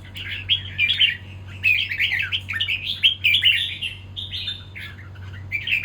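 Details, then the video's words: Red-whiskered bulbul singing during a fight: dense, rapid bursts of bright chirping, warbling phrases with quick pitch slides, nearly continuous with short gaps, over a steady low electrical hum. "Chào mào đấu"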